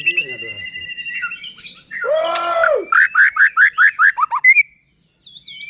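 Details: White-rumped shama song to stir other shamas: a high steady trill, then a harsh buzzy rasping burst, followed by about eight clear dropping whistled notes in quick even succession, then a brief pause.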